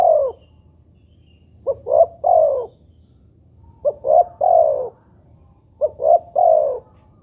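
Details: Spotted dove lure recording, played to make other spotted doves call: three low cooing phrases about two seconds apart, each with two short hoots and then a longer, falling, rolling coo, over a faint low background hum.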